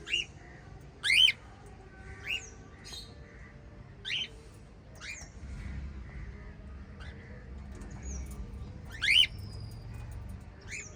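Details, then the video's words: Pet white lovebirds chirping, short rising squeaky notes repeated every one to two seconds, some louder and shriller than others, with quiet background noise. "White Little LOVE Birds Chirping Sound"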